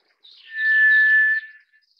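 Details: White's thrush: a faint high note leads into one drawn-out, even-pitched whistle lasting under a second, clean and unaccompanied.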